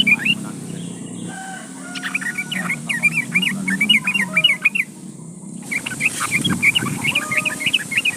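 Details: Yellow-vented bulbul song used to call a rival and lure other bulbuls into singing: repeated bubbly chattering phrases, with faint steady tones and low background noise beneath.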